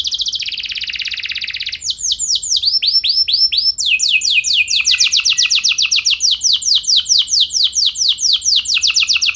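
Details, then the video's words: Canary song used as a training recording to make other canaries sing, a fast rolling series of high whistled sweeps, first a buzzy trill, then downward-curving notes repeated rapidly, changing phrase every second or two. "Pancingan Burung Kenari Ampuh Bikin Kenari Lain Auto Gacor Ngeroll Panjang | Canary Singing"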